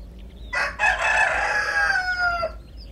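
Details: Backyard chickens in a garden eating grass and leafy greens; one loud, full crow of about two seconds, harsh and harmonic, slowly sliding downward before fading, with quiet low background noise.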